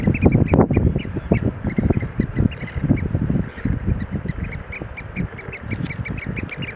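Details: Eurasian oystercatchers in a display dance keep up a continuous chatter of short, high piping notes, about two per second, partly buried under strong low knocking noise.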